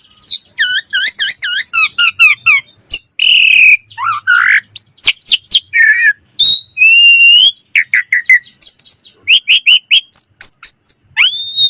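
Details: Common myna singing: repeated bubbly looping notes at first, then a jumble of clear high whistles, croaky gurgles and sharp clicks, loud and close throughout.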